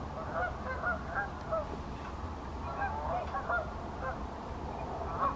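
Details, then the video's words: Flock of pink-footed geese calling at Wyver Lane, a continuous babble of short, high-pitched honks and yelps from many birds, some clearer nearby calls standing out, over low background rumble. "Pink footed Geese"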